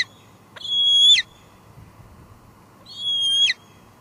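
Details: Two well-spaced, high, sustained squeals from a female bald eagle at her nest on a July 2022 evening at Two Harbors, recorded by live cam; each whistle holds its pitch, then slides down, with low hum underneath.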